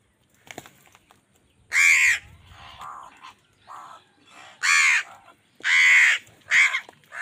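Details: During a food fight with wild birds, an angry crow gives loud, grating caws, four strong ones spread over seven seconds, interspersed with softer, lower, muffled calls.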